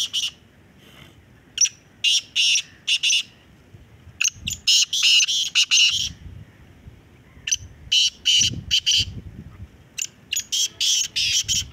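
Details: Kala teetar, the black francolin, calling during a calling contest: clusters of harsh, buzzy high notes repeat in quick rasping phrases across twelve seconds, some bursts overlapping, with low rumbling noise underneath.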